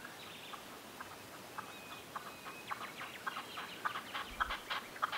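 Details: Red-legged partridge in the Sierra de Andújar, Spain, gives a run of harsh, chuffing chuk notes that grow louder and quicker toward the end, with a faint thin whistle from another bird.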